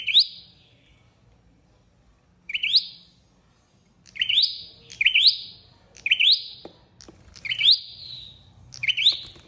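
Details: Flowerpecker lure calls for trapping. A first chirp is followed by a pause, then a run of rapid upward-flicking notes with sliding whistled tails. Faint clicks sound in the background.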